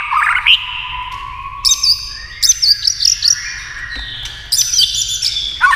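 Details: Fast-billed white-rumped shama in a singing contest with a television: long sustained whistles give way to high, bright chattering phrases in short clusters, with a steady hiss underneath.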